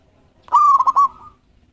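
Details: Lively local zebra dove, a thirteen-tail-feather champion used for luring, gives one rich cooing phrase: a rapid burst of bubbly, throaty notes that trails off into a soft held coo over less than a second.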